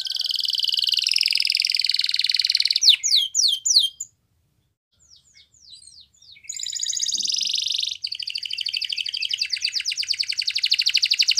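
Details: Spanish Timbrado canary singing: a long, dense high trill, then a run of quick descending chirps, a short pause with soft scattered notes, and two more fast, steady rolling trills held several seconds each.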